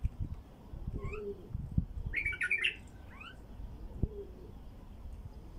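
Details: Wild bulbul song played to attract wild bulbuls: a short, bright, bubbly burst of warbled notes, with a few thin rising slurred whistles before and after it. Soft low cooing from a dove and faint knocks sound in the background.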